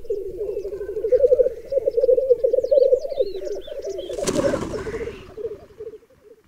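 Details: Black grouse rookoo at a long-known lek on a raised bog in Berezinsky Biosphere Reserve, where up to 30 males and 20 females gather and about ten females crowd one displaying male. The cooing is continuous, low and bubbling, with one sharp hissing burst midway.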